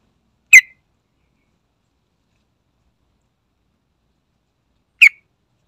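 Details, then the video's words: Sooty-headed bulbul lure recording: two separate sharp, clipped notes about four and a half seconds apart, silence between. "Sekali Putar Langsung Nyaut Dengar Suara Trucukan Isian Istimewa"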